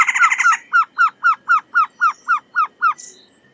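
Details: Trogon giving a fast series of repeated hooked notes, about four per second, starting in a dense, rapid burst and then slowing into about ten evenly spaced, clear notes before stopping; a faint higher note follows.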